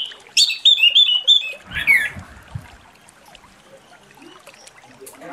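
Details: Orange-headed thrush singing in the morning in the loud, continuous ngeplong style used to lure other birds: about two seconds of quick, high whistled and trilled phrases, then only faint twitters and low thumps.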